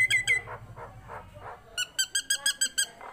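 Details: Tame captive Nias hill myna. Two sharp whistled notes and some lower nasal murmurs are followed by a steady series of seven bright ringing notes, about five per second.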